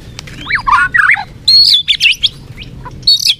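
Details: White-rumped shama (murai batu) song meant to fire up a listless bird: quick slurred whistles and chattering notes in short bursts, high and sharp, with gaps between phrases.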